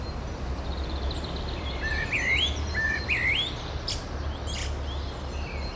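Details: Common blackbird in a bird concert that also features a nightingale and a cuckoo: two short, fluty, rising warbled phrases about a second apart, with faint high twitters before them, over steady low rumbling background noise.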